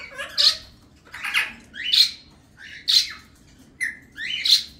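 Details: Harsh, grating squawks from sibling male cockatiels kept as pets, sitting with their chicks in the sunlight; five loud rasping calls, each about half a second long, repeat roughly once a second in a quiet room.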